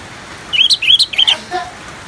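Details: Orange-headed thrush ngeplong song on a rain therapy recording: three quick bright whistled notes, each with a sharp upward flick, followed by a faint lower note and steady rain noise.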